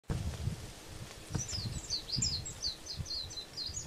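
Warbling white-eye giving a rapid series of thin, high, slurred chips, several each second, over a steady low rumble of wind.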